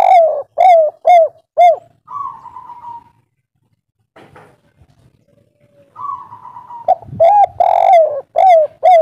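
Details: Local spotted dove, kuk 3 style, played as a lure for calling birds: a run of soft, evenly spaced coos, a higher drawn note, a quiet gap, then another higher note and a fresh burst of coos.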